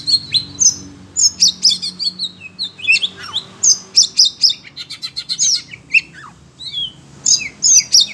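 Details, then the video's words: Agitated kacer, an Oriental magpie-robin kept in a cage and reacting to other birds' voices, pours out a dense stream of piercing chirps, slurred whistles and quick trilled phrases with almost no gaps. "Kacer SUNEO emosi denger suara burung lain"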